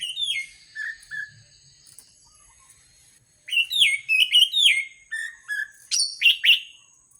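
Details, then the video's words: Orange-headed thrush song used as a lure recording to get birds singing: varied high whistled phrases, some rising then sliding down, given in quick bursts with short pauses, clear and without background noise. "Pancingan anis merah paling ampuh dijamin burung manapun akan ikut bunyi gacor ngeplong"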